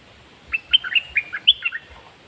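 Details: Red-whiskered bulbul kept in a cage, dok taeng song style: a short, lively phrase of sharp whistled notes, looping up and down with a loud high note near the end, against a quiet background.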